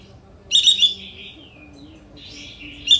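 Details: Kapas tembak sooty-headed bulbul lure song: a loud rattling burst sliding downward into a fading whistle, followed by a softer second phrase and the start of another burst.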